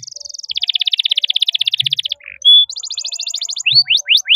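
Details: Singing canary, kept as a master tutor bird for young canaries learning to sing: a long rapid rolling trill, a short buzz, a clear whistle, then quick repeated chirps and rising sweeps.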